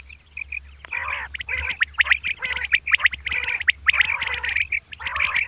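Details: A female common quail calling in the morning gives harsh, nasal, squawking bursts in an uneven series, about one a second, with a few thin higher notes between them.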